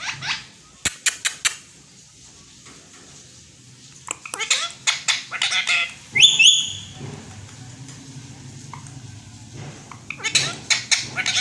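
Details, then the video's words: Talking Indian green ringneck parakeet with Urdu/Hindi words: sharp clicks, gabbled high syllables, one piercing whistled note, then softer murmuring and a final burst of chatter, recorded indoors. "Indian Green Ringneck Talking Pakateet|Talking Parrot Urdu/Hindi"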